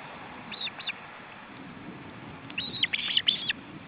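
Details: Osprey nest in Estonia, July 2012, with a male bringing food to his chicks: two brief chirps, then a loud burst of sharp, rapid whistled yelps over faint background rumble.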